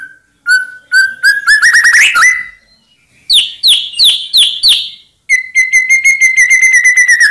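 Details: White-rumped shama song used to make rival birds answer: a clear steady whistle, then accelerating rising notes, a series of sharp repeated chips, and a long fast trilled whistle.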